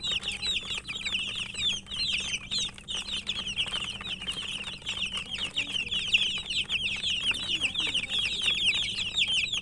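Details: Many domestic chicken chicks peeping while eating, a dense chorus of high, short downward-slurred cheeps overlapping continuously, with soft tapping and pecking clicks underneath and a faint low hum throughout.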